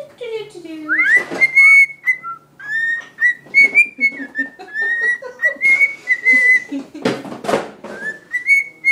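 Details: A year-old male pet cockatiel singing to a Kleenex: long chains of level, bright whistled notes, broken by rustling and clicking bursts, continuing almost without pause.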